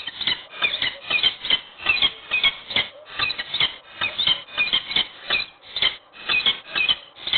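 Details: Peregrine falcon at Wołomin, Poland, in the morning during a meeting and mating: grating, paired calls repeated steadily about every half second, harsh and scratchy throughout.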